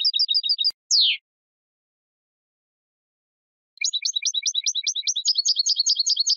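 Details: European goldfinch sings a short repeated twitter and a single downward buzzy note, then after a pause resumes with a long, rapid series of high chirps with low accents.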